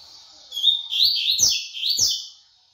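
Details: Double-collared seedeater singing a rapid tui-tui song: strong, high whistled notes sliding up and down in quick linked phrases over about two seconds, with a few dull thumps behind.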